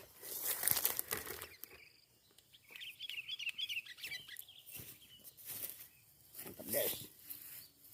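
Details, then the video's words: Sooty-headed bulbul recorded during bird catching: a short bright warbling phrase of quick mid-high notes, set among loud rustling, thumps and a man's voice. "Mikat Burung Kutilang"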